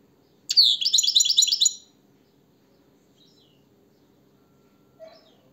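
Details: European goldfinch song indoors: a rapid, tinkling phrase of repeated liquid trills lasting over a second, then near silence with a faint distant chirp and low background hum.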